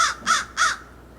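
American Crow giving three harsh, nasal caws in quick succession, about a third of a second apart, over a quiet background.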